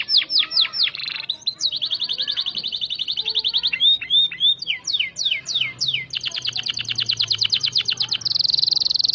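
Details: Canary in continuous varied song as training material for white-rumped shama: rapid falling whistles, long rattling buzzy trills, a cluster of looping notes and a final harsh high-pitched buzz.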